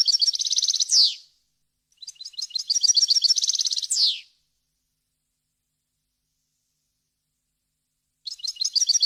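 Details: Goldfinch song made for teaching young birds: two phrases of rapid, evenly repeated high chirps each ending in a falling buzzy slur, then a long silence before another phrase begins.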